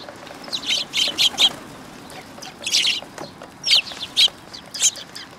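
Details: Several Eurasian tree sparrows coming to be fed at a Tenmangu shrine, 19 August 2022: short, bright chirps in quick clusters of three, then a pause, then scattered pairs of chirps toward the end.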